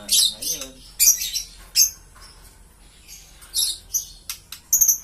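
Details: Green lovebird giving sharp, high-pitched chirps and squeaky bursts in short clusters, with brief quiet gaps between them and faint lower squeals near the start.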